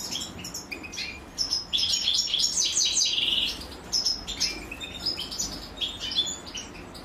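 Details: Nestling European goldfinches beg while the female feeds them. Quick, high chirps and squeaks build into a loud, buzzy, continuous burst in the middle, then break into scattered calls.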